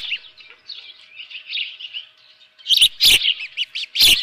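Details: Osprey at a nest at Dunrovin Ranch with a live fish, 7:32 AM on 24 June 2018. Faint, high chirps run through the first two seconds, then loud sharp knocks and bursts break in with louder chirps between them.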